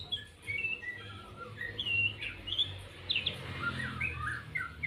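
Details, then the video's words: White-rumped shama delivering 'lepas trotol' song: varied whistled notes, slurs and quick chattering bursts in a continuous, rich phrase, accompanied by a low droning hum. "murai batu lepas trotol"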